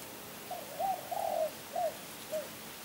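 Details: Spotted dove calling close by: a soft lead-in note, a rolling drawn-out coo, then two separate shorter hollow coos, low in pitch against a quiet hissy background.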